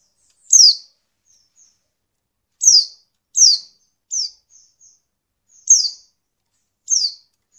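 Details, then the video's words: Repeated high, downward-sweeping notes of a female Oriental white-eye, irregularly spaced and sometimes doubled, with faint thin whistles trailing between them; the call is used to rouse males to sing. "pleci betina untuk merangsang bunyi pleci bahan"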